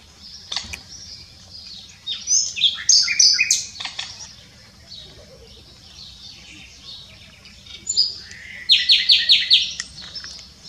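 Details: Common nightingale singing at s'Albufera, Mallorca, in 2017: two bursts of rich song, the first mixing whistled notes and rapid buzzy phrases, the second a fast repeated chattering trill, separated by quieter distant bird notes and a faint low hum.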